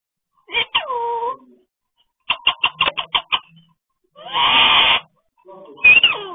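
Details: Talking parrot in a small room produces speech-like calls: a drawn-out nasal syllable, a rapid run of clipped repeated notes, a harsh raspy burst, then a sharp rising squawk.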